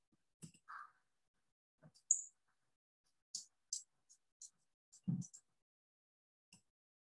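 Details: Anna's hummingbird (Calypte anna) call notes on an autonomous recorder around 7:30 in the morning: scattered, thin, very high chips, about a dozen in seven seconds at an uneven pace, with a few soft low clicks and thumps.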